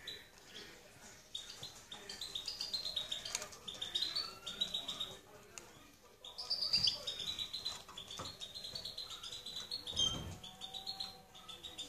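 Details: European goldfinch in sustained twittering song, liquid high notes and brief trills tumbling together with short pauses, plus a soft low thud near the end.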